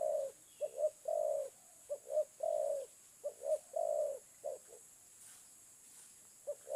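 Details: Low soft cooing of a spotted dove: phrases of two quick short notes followed by a longer, fuller coo, repeated three times, then brief isolated notes, over a quiet steady hiss.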